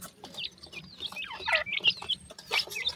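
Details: Black francolin (sindhi kala teetar) chicks calling their mother: several chicks give high, thin, peeping chirps, some slurred downward, overlapping in a busy, irregular chorus with soft scuffling in between.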